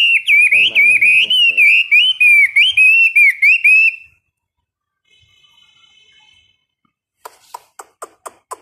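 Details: Caged Chinese hwamei during a 15-minute morning singing training session: four seconds of loud, varied whistled phrases with slurred up-and-down notes, then near silence, a faint buzzy note and a series of sharp clicking taps.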